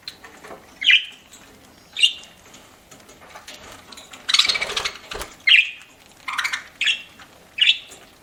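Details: A pet budgie chirps as it eats, giving short high tweets roughly once a second, with a burst of rustling, crunching feeding noise midway.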